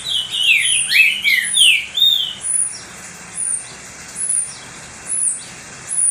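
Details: Caged pet green-winged saltator singing a lot to stimulate rival saltators: a dense phrase of whistled, swooping notes over two seconds, then only sharp high chirps recurring about once a second.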